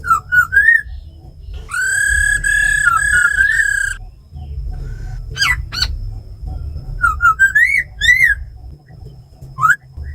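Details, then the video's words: Laughingthrush in a cage, tamed, singing forest-voice song with female rattle calls to arouse other birds: looping whistles, a two-second sustained rich whistle, sharp steep notes and rising slurred phrases amid low hum. "Tiếng chim khướu mái ro khẹt + khướu mun thuần hót giọng rừng kích bổi căng lửa"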